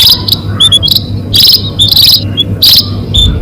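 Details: Munia lure call used for catching birds: short, thin, high chirps and brief bright bursts at an uneven rhythm, with a steady low hum underneath.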